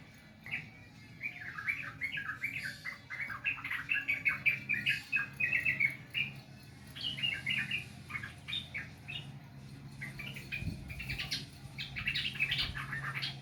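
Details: Sooty-headed bulbul song used as therapy for a bird reluctant to sing: a run of bubbly, warbled notes in quick irregular succession, rising and falling, with a brief pause near the tenth second before the notes resume, over a low steady hum.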